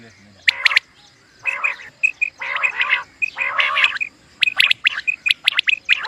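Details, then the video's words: Common quail calls used for hunting: rapid clusters of sharp, clicky notes mixed with short clear whistled pips and rough buzzy stretches, delivered in bursts separated by pauses. "Common Quail Sound | For Quail Birds Hunting | Batair Ky Shikar ky Liye Batair Ki Awaz"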